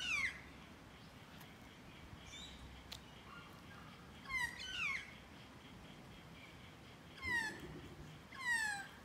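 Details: Close-range magpie uttering harmonic, falling mew-like calls, some doubled, spaced irregularly, with faint distant chirps between them.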